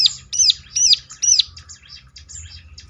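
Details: Bar-winged Prinia lure song for prompting other birds to answer: three loud, high, swooping phrases about half a second apart, trailing into softer, fast, high twittering.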